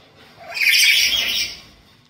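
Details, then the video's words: A black-capped lory at home, calling actively, gives one harsh, raspy screech lasting about a second, loud and high-pitched, rising sharply then fading; nothing else is heard. "Pancingan Burung Nuri Kepala Hitam"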